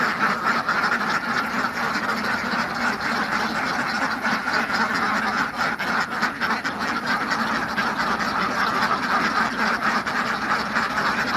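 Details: A flock of farm ducks gives a steady, crowded stream of nasal quacks, the calls blending into one another with short louder bursts, against continuous ambient noise.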